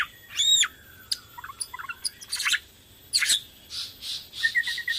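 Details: Borneo white-rumped shama in lively song, used to stimulate other shamas: a loud ringing arched note, scattered chips and short harsh bursts, then soft high rustling notes over faint background hiss.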